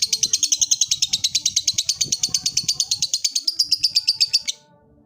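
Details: Long ngekek trill from a lovebird calling out to a rival: fast, even, high-pitched chattering pulses that run for over four seconds and then stop abruptly, leaving quiet.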